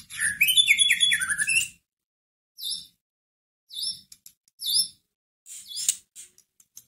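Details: White-rumped shama singing as a provoking lure to make a sluggish caged shama reply. A rapid tumble of whistles and falling slurs opens, followed by spaced, repeated clear high notes and short chips.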